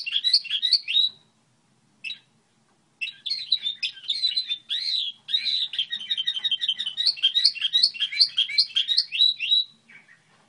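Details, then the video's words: Goldfinch hybrid's song model: an opening flourish of rising chirps, a short gap, then a long, continuous, rapid warble of buzzy and tinkling notes lasting several seconds before trailing off. A faint low hum is audible. "Hibrid sticlete ,model de cântec (Goldfinch hybrid)"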